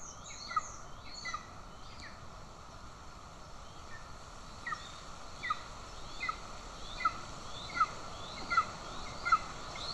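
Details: In Estonia on 20 June 2024 a golden eagle mother feeds an aggressive chick while the father holds a bird; a long, steady run of sharp, descending squeaks, about one every 0.75 seconds, grows louder toward the end.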